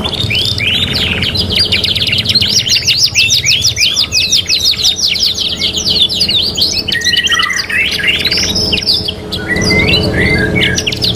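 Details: Canaries (kenari) combined three-in-one on a training track: long fast trills of repeated notes, then varied looping warbles and whistles, densely layered and loud throughout.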